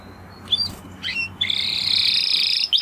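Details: Spanish Timbrado canary giving two short high slurred notes, then a sustained bright buzzy trill held for over a second.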